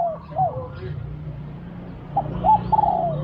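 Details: Spotted dove singing during decoy luring of wild doves. A falling coo and a hoot are followed by a phrase of short hoots leading into a long wavering coo, over a steady low hum.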